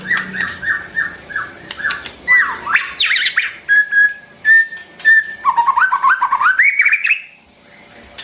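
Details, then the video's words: Shama song for training the voices of young and newly caught birds: a series of short whistles, a harsh chattered burst, steady drawn-out whistled notes, then a climbing trill of rapid notes, with clicks throughout. "tiếng chim choè lửa hót cực hay"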